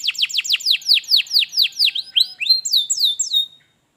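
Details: Canary phrase played to make a lazy canary sing: about a dozen loud, sharply downslurred whistles repeated quickly, then a few level high notes before falling silent.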